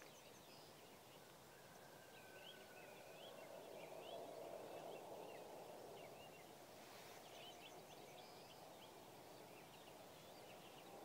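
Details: Northern lapwings at the Malá Čermná wetland, Náchod district, Czechia, on 25 March 2016 give a run of wheezy, slurred 'pee-wit' notes, several per second, over a steady rush of wind.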